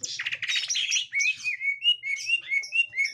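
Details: Greater green leafbird, reacting on encountering a young wild green leafbird, gives a burst of harsh, buzzy chattering, then a run of clear whistled notes slurring up and down, several per second, high-pitched throughout.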